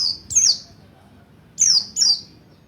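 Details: Buxtoni mountain white-eye learning the ngalas ngerol style, sung as a lure for other white-eyes: three high, bright downward-sweeping chirps separated by short pauses.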